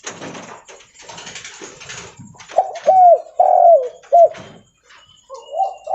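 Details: Loud cooing of a leopard-type spotted dove while walking: soft rustling, then a rapid series of husky, downward-curving coo notes, followed by a quieter coo at the end.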